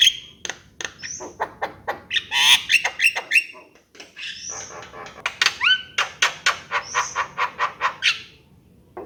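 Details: Javan myna singing: a busy string of sharp clicks, harsh chattering notes and short whistles, some rising and buzzy, delivered in rapid irregular bursts with a brief pause midway.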